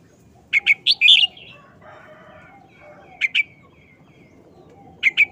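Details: Red-whiskered bulbul giving a short wild-style song, delivered fast: two quick bursts of bright, warbled whistles, then isolated two-note phrases about every two seconds, over faint low background chatter.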